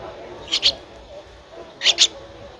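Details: Streak-eared Bulbul nestling, 13 days old, photographed in Ubon Ratchathani, Thailand, on 15 April 2023: two quick bursts of high, sharp chirps, each a pair of notes about a second apart, over faint background hiss.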